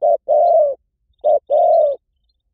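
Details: Spotted dove lure sound giving soft, low cooing: a short note followed by a long, drawn-out coo, given twice in about two seconds.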